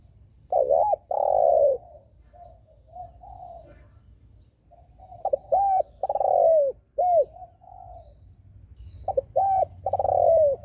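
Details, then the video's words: Spotted dove coos meant to provoke rival doves. Loud phrases repeat: short arched notes and long descending coos, with quieter murmuring coos between bursts. "Chim cu gáy gù mở lên kích bổi cực hay"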